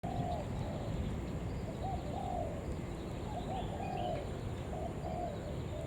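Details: Spotted dove giving a calling lure call used to draw in other doves: soft, hollow coo phrases repeating through the recording over a steady low rumble, with faint higher chirps from other birds.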